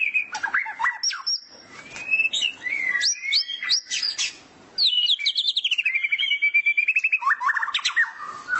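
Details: Morning song of a white-rumped shama set out in the sun, taped as a master recording for songbird training: bright whistled phrases, quick chirps and a fast repeated trill in the second half.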